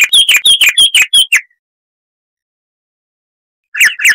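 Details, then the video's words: Chestnut-vented warbler, Sylvia subcaerulea, a southern African scrub bird, sings a fast string of ringing, repeated two-tone notes for over a second, falls silent, then resumes briefly. "Masteran Burung Luar Negeri Suara Asli Kristal HD - Chestnut-vented Warbler (Sylvia Subcaerulea)"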